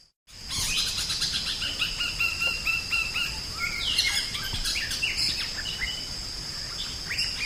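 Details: Drongo singing vigorously in a master recording for training songbirds: a run of short, repeated whistled notes and quick upsweeps, high and bright, over a steady shrill insect hum.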